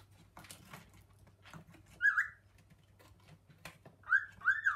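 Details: Indoor male cockatiel calling to his mate while the pair explores kitchen cupboards; after clicks and shuffling, one clear whistled call rings out, followed later by two quick piercing calls in succession.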